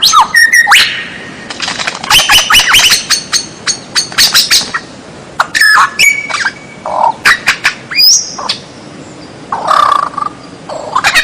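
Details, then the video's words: Unusual white-rumped shama song used to train captive birds: a busy, varied run of sharp clicks, chattering bursts, steady whistles and short slurred notes, delivered in rapid clusters with brief pauses. "MASTERAN MURAI BATU SUARA ANEH"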